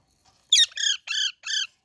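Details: Baby parrot gives four loud, harmonic squawks in quick succession, the first harsher, the next three evenly spaced and slightly arched.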